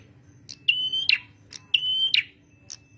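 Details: Male red prinia singing actively, a recording used to lure and train birds: two sustained, level whistled notes, each ending in a sharp click burst, with brief high chips between them over a low hum.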